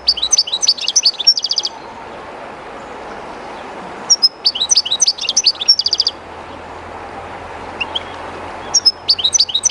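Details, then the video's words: Shy European goldfinch singing beside the current of the river Jerte, three bursts of fast tinkling twitters ending in quick buzzy trill runs, with a constant hiss of running water between phrases. "JILGUERO CANTANDO EN EL RÍO/Goldfinch singing in the river/Chardonneret chantant dans la rivère"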